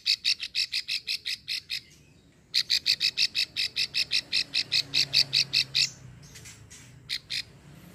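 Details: Female plain prinia in Ulujami, Central Java, with the long klik call that draws in males. A run of clicks, a pause of nearly a second, a longer rattling series, then a few scattered notes.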